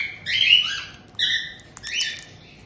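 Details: Pet white-bellied caiques in Tokachi, Hokkaido, in June 2023, with an established pair receiving a roughly two-month-old newcomer: three shrill, grating squawks, the first longest and loudest, each under a second.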